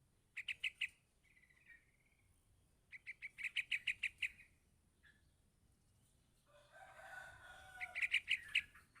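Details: Young yellow-vented bulbul calling to its parent in repeated bursts of fast, high, sharp chirps, broken by short whistled slurs and a softer murmuring passage before a final chirp run.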